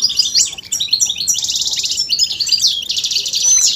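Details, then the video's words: Goldfinch mating and readiness calls to prompt a male to sing: loud, fast twitter mixing tinkling chips with rapid buzzy rattling trills and a clear whistled note near the end. "بتبتة فتاكة وفعالة في تحفيز الحسون على التغريد والهيجان والخروج من الستريس"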